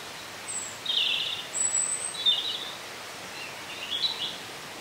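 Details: Wild birds singing in a bluebell wood in Cornwall, recorded on site in stereo. Short high twittering phrases come roughly every second, with a few thin, very high notes above, over a steady soft hiss of background noise.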